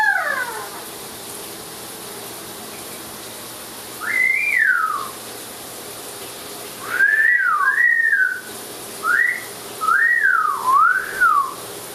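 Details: Pet Amazon parrot in the shower with running water hissing throughout, giving a falling whistle, then a pause, then a series of arched, up-and-down whistled phrases, some paired, repeated every second or two.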